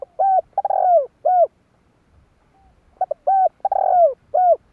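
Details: Spotted dove lure call used in trapping: two back-to-back phrases about two and a half seconds apart, each short notes leading into a long rough descending coo and a final clear coo.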